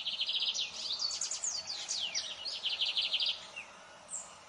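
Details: A lined seedeater sings a long, fast, varied phrase of high chirping notes, a rapid chattering series with quick downslurs that lasts over three seconds before stopping, with a soft faint note after.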